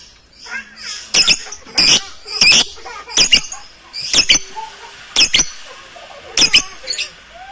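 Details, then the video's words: Many lovebirds shrieking loudly together, recorded with a phone camera: piercing, rasping double and triple squawks recurring about every half second to second over steady background chirping. "SUARA BURUNG LOVEBIRD RAME KENCENG BANGET SUARANYA"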